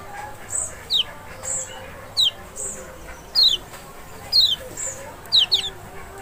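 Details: Lemon-bellied white-eye, the Lombok or Sumbawa form, played to provoke a reluctant bird into singing: short, sharp, high notes that slur downward, repeated about once a second with brief thin high pips between, over a quiet low hum.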